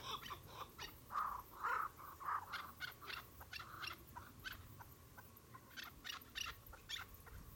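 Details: Chukar partridge with a few louder, fuller chuck notes early on, followed by a looser scatter of shorter, sharper calls continuing irregularly to the end.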